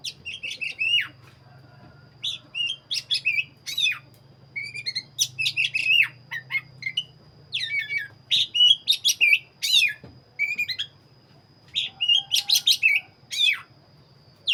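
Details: Kacer dada hitam, a black-breasted oriental magpie-robin, in vigorous gacor song: dense sequences of loud whistled notes, sharp chips and quick trills, delivered in rapid clusters with short gaps, over a faint low hum.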